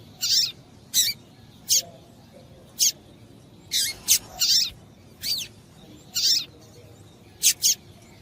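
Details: Female double-collared seedeater calling to stir a male into song; short, very high chirps and buzzy notes repeated irregularly, roughly one every half second to second, some in quick pairs, over faint steady background hiss.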